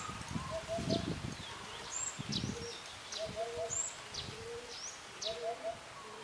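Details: Eurasian hoopoe calling a female to come and eat: soft, low hooted notes in quick triplets, repeated about every two seconds, over high thin whistles from other birds and some low rumbling.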